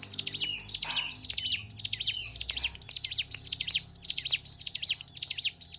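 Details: Ciblek gunung, the hill prinia, repeating a brisk, high zigzagging phrase of sharp chirps roughly twice a second, around eleven phrases, with a soft lower note briefly heard near the start and quiet hum beneath.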